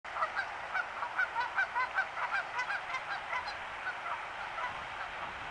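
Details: Several ducklings calling together: quick, overlapping short nasal notes in a steady chatter, several each second, over a constant background hiss.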